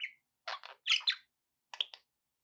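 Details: Brief pet budgie chatter: a short whistled note, then a few harsh buzzy chirps and clicks in two small bursts, separated by a second of quiet.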